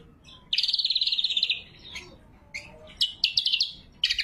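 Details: Energetic lesser green leafbird song meant to call rivals and train birds to sing: a long rapid trill of about fifteen pulses, a pause, then scattered sharp chirps and stuttering bursts.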